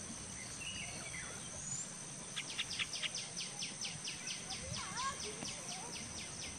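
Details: White-breasted waterhen (Amaurornis phoenicurus) gives a run of about a dozen harsh, clicking "ruak"-like notes, roughly three per second, over a steady high insect whine and a few faint bird chirps.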